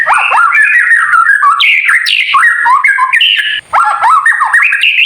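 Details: White-rumped shama singing kretekan style to provoke other birds: continuous rich, warbling whistled phrases climbing and falling sharply, a short gap near three and a half seconds, then another rising run of notes.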